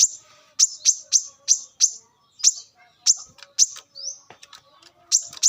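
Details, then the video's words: Brown-throated sunbird singing in the wild, recorded as a lure sound: rapid high sharp chips in uneven clusters, several rising slurred notes mixed in, and short pauses. "kolibri kelapa | manggar | wiceh | pancingan korlap dengan suara asli alam liar"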